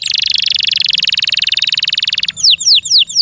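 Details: Loud song of a kept canary: a long, rapid buzzy trill of evenly repeated notes lasting over two seconds, followed by several clear downward-sweeping whistles given in quick succession.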